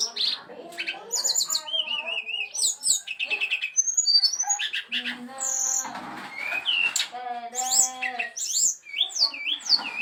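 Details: Brown-chested jungle flycatcher song: a dense run of varied high chirps, slurred whistles and quick trills, with a human voice murmuring underneath in places.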